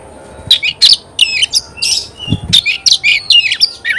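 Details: Energetic oriental magpie-robin song made of quick bursts of high chirps, trills and whistled slurs, delivered in rapid succession with a faint low background hum.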